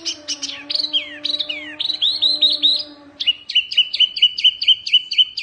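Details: Fierce mini wambi Oriental white-eye singing as tutor material: high chirps and slurred phrases over a low steady hum, then a crisp series of short chips repeated about twice a second.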